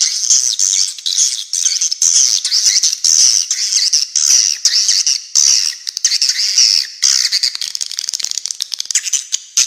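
Swiftlets keep up a dense, high twittering chatter, a constant stream of quick, sharp chirps and buzzy trills with no pause.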